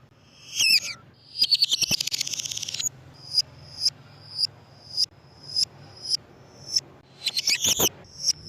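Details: Lovebird sounds used to lure lovebirds: a harsh screech and a fast buzzy rattle, then evenly spaced sharp, high chips about every half second, and a final burst of rough chattering.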